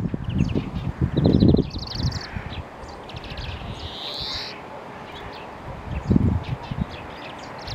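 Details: European greenfinch singing: a short high trill, then a drawn-out buzzy wheeze, under heavy low rumble and rustling.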